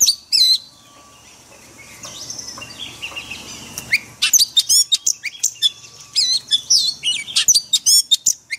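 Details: Forest-voice song of a white-rumped shama, used for training caged birds: an opening chip, a quieter stretch of faint whistles, then lively rapid sequences of piercing high notes and trills.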